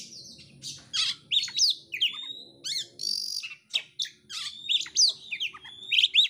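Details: Oriental magpie-robin singing energetically while spreading its tail: short phrases of sharp rising whistles, squeaky chirps and brief harsh notes, separated by clear gaps about every half second, with faint low background murmur.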